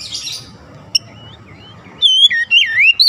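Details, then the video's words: Lure song of an Oriental magpie-robin meant to stir other magpie-robins into song; after a hissy, noisy start, a few loud swooping whistles ring out near the end. "PANCINGAN KACER langsung gacor ngotot"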